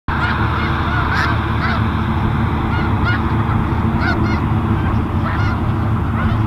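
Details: Snow geese resting at Garry Point Park, Steveston, British Columbia, Canada, on a Monday afternoon, 21 January 2019, upset after a noisy hovercraft woke them: scattered nasal honks break out repeatedly over a loud, steady low engine rumble.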